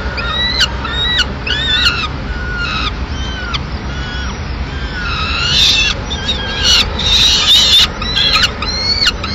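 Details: Peregrine falcon at a nest in Madrid at mid-morning feeding time, the female arriving with pigeon remains; fairly faint, harmonic down-slurred calls repeated roughly twice a second, growing louder and harsher toward the end.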